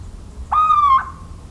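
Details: A single loud, clear hoot from a little owl in the countryside of central France, 17 March 2019, held for about half a second with a slight downward slide and a brief softer tail.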